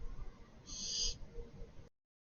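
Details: Barn owl chick producing a single short, harsh breathy hiss lasting about half a second, followed by quiet low rumbling before the sound cuts out.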